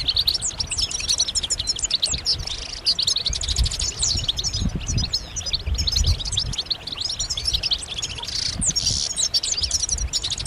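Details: A chorus of European goldfinches gives mating and readiness calls meant to excite males into song. Nonstop high twittering of rapid clipped notes, with a brief harsh buzzy burst late on, over steady low rumbling noise.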